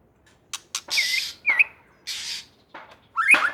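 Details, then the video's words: White-rumped shama from Aceh: short clicks, then a scratchy burst with a looping whistle, a slurred rising note, a hissy rasp, and a final bright whistled flourish. "murai super gacor"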